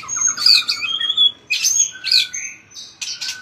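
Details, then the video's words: White-rumped shama under training, singing a fighting song and flicking its tail hard: high piercing whistles mixed with harsh, squeaky bursts in short separated phrases. "chòe lửa hót đập đuôi cực mạnh"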